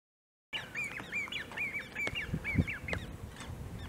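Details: A Great crested grebe with young, recorded 1 Aug 2018 at De Gouden Ham, Maasbommel, Netherlands, gives a rapid series of thin, high piping notes, several each second, over a low background rumble.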